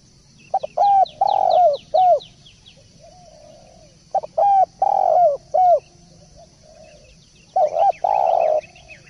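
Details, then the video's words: Spotted dove (tekukur) cooing prolifically: three phrases of mellow, low, pulsed coos, each a short stuttered opening then a drawn-out note, roughly every three to four seconds, with faint high chirps of other birds and a low background rumble. "Masteran Derkuku / Tekukur gacor poll"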